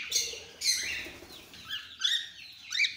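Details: Cockatiel mutations kept together, giving short chirps and rising whistled calls in scattered bursts, with some wing flutter.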